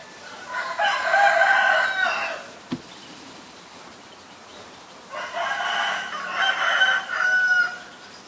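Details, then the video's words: White-vented myna in Ubon Ratchathani, Thailand, 9 March 2022, delivering two separate harsh rasping phrases about five seconds apart, each roughly one and a half seconds long, with a sharp click between them. "นกเอี้ยงหงอน หรือนกเอี้ยงดำ (White-vented Myna)"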